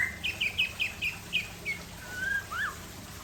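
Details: Aceh white-rumped shama singing during a calm afternoon: a quick run of short chirped notes, then a drawn-out whistle and a final sharp upward slur, against faint constant background noise.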